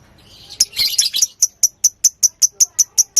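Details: Fighter lovebird calling as a lure to prompt another lovebird to sing: a short jumbled burst of high chatter, then a steady series of sharp, high chirps about five per second.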